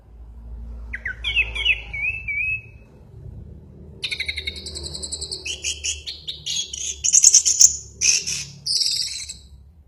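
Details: Orange-headed thrush (anis merah) chattering while 'mabuk', heavily worked up: a falling whistled phrase, a pause, then a long dense stretch of rapid, varied high notes mixing sharp whistles and scratchy buzzes.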